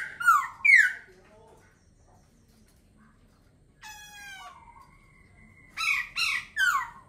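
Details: Laughingthrush gives loud descending whistles, pauses, then a long harmonic-rich note and a fresh burst of rapid downslurred phrases.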